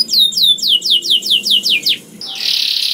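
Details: Young canary singing to stimulate other canaries to sing: a run of clear descending whistled sweeps, about four per second, breaking into a dense, buzzy rolling trill.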